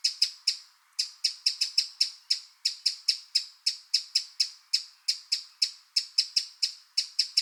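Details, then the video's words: Wild Eurasian wren giving loud, hard tick notes in uneven bursts, often doubled or tripled, repeated steadily throughout with brief gaps and a clean, quiet background. "Eurasian Wren Sound – Song & Bird Calls"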